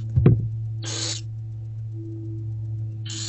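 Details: Barn owlets in an owl box, fed by their mother in daylight on 15 February 2024 around 11 am: a brief knock, then two harsh, breathy hissing bursts about two seconds apart over a steady low hum.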